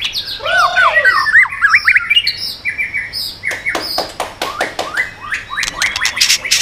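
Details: White-rumped shama in a voice-switching song aimed at provoking birds: looping, bubbling whistled notes, a pause, then scattered sharp clicks and harsh strokes.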